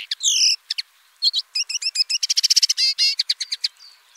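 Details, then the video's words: Common linnet singing a varied twittering phrase of doubled chirps, short rapid trills and buzzy wavering notes, ending in a faint thin rattle. "BIRDS VOICE : The common linnet Bird"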